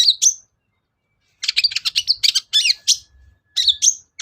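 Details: Cendet, the long-tailed shrike, singing a lure phrase to get lazy birds singing: two sharp squeaks, a long pause, then a fast, varied stream of high chirps, trills and squeaky notes.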